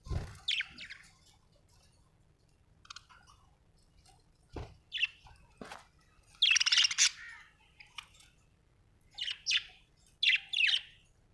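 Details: Budgerigar chirping in scattered short buzzy notes with quiet gaps, swelling into a dense chattering burst mid-way and a few bright chirps near the end, over soft low background hum and occasional knocks.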